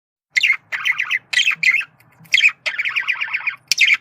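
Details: Male budgerigar giving communication calls: bursts of scratchy, rapidly pulsed chatter with harsh squawk notes, in phrases about half a second to a second long separated by short pauses.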